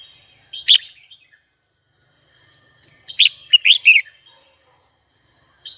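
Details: One sharp chirp from a red-whiskered bulbul calling a rival, a long quiet spell, then a quick series of four to five liquid, warbled whistles, ending with a brief note.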